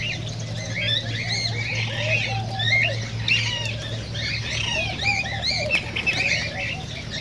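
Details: Cockatiels singing, played to stimulate mating: many overlapping short rising and falling chirps and whistles in a dense continuous chorus, over a steady low hum.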